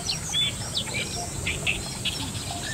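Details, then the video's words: Fairly grown Common Moorhen young, two of them, calling eagerly for their parents when straying from home: sharp high chirps and brief down-slurred squeaks in quick uneven bursts, with a constant high insect drone behind. "バンの親子 Common Moorhen"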